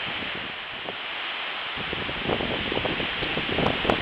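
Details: Outdoor pond recording with constant broadband hiss, soft rustling and a few faint clicks, but no animal calls.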